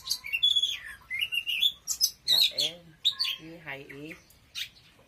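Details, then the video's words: Oriental magpie-robin song of fluent whistled and warbled notes, some rising and falling, broken by a person's voice speaking partway through. "Choè than hót cực khủng"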